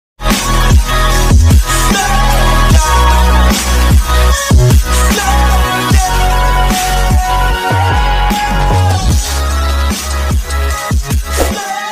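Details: Loud electronic dance music with heavy bass and steady drum beats fills the whole recording, with no animal sound audible.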